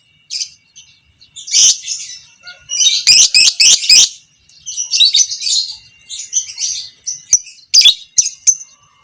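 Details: Lovebird of the fighter type, pastel creamino variety, used as a master to teach other lovebirds long chattering; high harsh chatter in bursts, a rapid stuttering run midway, then scattered sharp notes.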